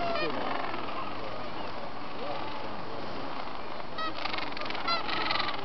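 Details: Mating Gentoo penguins in Antarctica, recorded November 13, 2014, give hoarse, goose-like honks in a steady overlapping stream, with a few brighter braying calls near the end.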